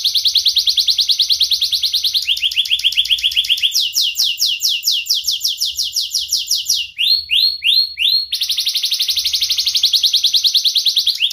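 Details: Sharp-voiced young canary, a training lure for young canaries learning their song: rapid rolling trills shifting pitch, a run of falling swept notes, loud downward whistles, then a dense trill again.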